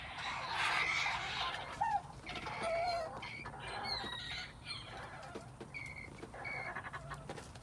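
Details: Quails in spring 2021, giving a series of short whistled and chirping calls, some sliding notes in the first three seconds, then fainter paired high notes later over steady background hiss.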